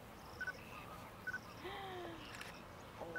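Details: Flock of greater flamingos fishing on Mannar Island lagoons, Sri Lanka, dry-season migrants. One drawn-out, slightly falling nasal honk stands out midway among soft chatter, with brief high beeps and background hiss.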